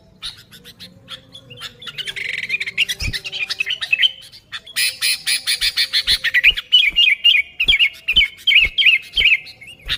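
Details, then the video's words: Sooty-headed bulbul, natural unembellished song meant to attract bulbuls: rough chattering at first, then a run of clear, rapidly repeated whistled notes punctuated by sharp clicks. "Suara Burung Kutilang Gacor ASLI Tanpa isian, Ampuh untuk Pikat Kutilang bikin kutilang Ribut gacor"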